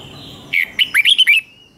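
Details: Caged red-whiskered bulbul, doubled song for teaching young birds. One brief phrase of about six quick, bright whistled notes follows a faint steady hum.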